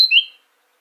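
A brief, clear fragment of Eurasian blackcap song: two pure, high whistled notes, the second sliding slightly, fading within half a second into silence.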